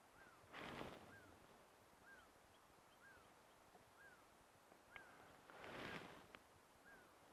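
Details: A distant African barred owlet calls at sunset on Rietspruit Game Reserve in South Africa's Lowveld, giving soft, evenly spaced notes about once a second, each with a slight dip in pitch; two brief rushing bursts of noise pass over.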